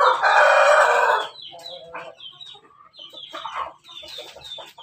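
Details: A crossbred Pelung x Bangkok rooster, kept in Yogyakarta, gives one loud, hoarse, strained "laughing" crow lasting just over a second, followed by softer clucks and scattered chatter from other fowl.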